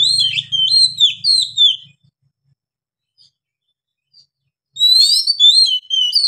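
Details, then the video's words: White-rumped shama singing loudly: a quick string of sweet whistled slurs and trills, then near silence, then another bright burst of varied whistles and twitters; faint low hum at the start. "KACER GACOR NGEPLONG NAFAS PANJANG"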